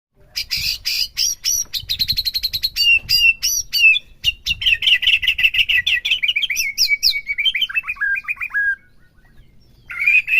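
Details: White-rumped shama song, used to provoke a captive shama into singing: rapid high trilled bursts, then a run of slurred, descending whistled phrases, a short pause and a final rising note.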